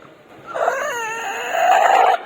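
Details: Young rooster giving a single drawn-out, harmonic, wavering crow lasting under two seconds, starting hoarse and ending in a strained, steadier, higher-pitched note before cutting off abruptly; faint background noise.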